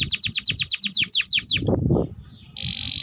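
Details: Tutor song of a canary for young birds: a run of quick downslurred whistles, about six per second, a short pause with low noise, then a steady buzzy trill begins.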